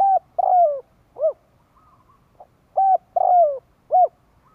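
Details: Spotted dove giving its call for luring other doves. Two repeated phrases of three mellow coos, the middle one long and sliding downward, with a faint soft note between phrases.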